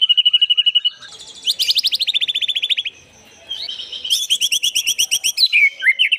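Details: White-rumped shama song used as a lure: rapid trills of repeated notes, high buzzy rattling runs, a brief pause, then loud chattering high-pitched phrases ending in whistled slurs.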